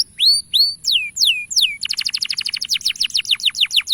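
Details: Male canary singing to encourage young canaries: a few long swooping whistles, rising then falling, followed by a rapid even trill of short falling notes for the last two seconds.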